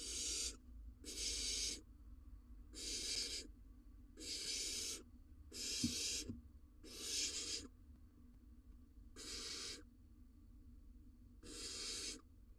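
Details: Long run of nine harsh, breathy hisses roughly every 1.4 seconds at a barn owl nest box in Israel, male delivering a rodent to the chick in breeding season; two dull thuds midway.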